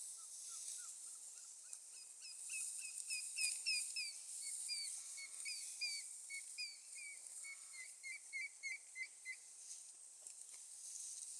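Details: Yellow-billed oxpeckers on an African buffalo's back near Mopani, Kruger NP, 13 November 2014, give quick, thin chirped notes, roughly three a second, some slurred downward, over a constant high insect hiss.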